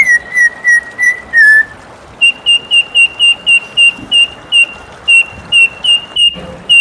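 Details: White-rumped shama singing in the morning, a steady series of short identical whistled notes, first a lower set of five, then a higher note repeated about a dozen times at even intervals.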